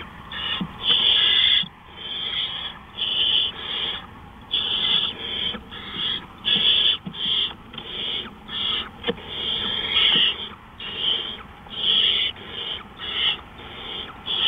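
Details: Owl in the small hours of April 20, 2013 (3:15 AM): a long series of scratchy hissing screeches, around twenty bursts of varying length with irregular gaps and faint low clicks.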